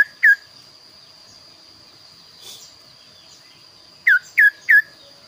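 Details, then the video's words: A kaso-kaso bird with a unique, varied voice sings actively. One sharp downslurred whistle opens, then after a quiet gap a run of three loud falling notes, over a faint continuous high-pitched tone. "burung kaso kaso gacor suara unik"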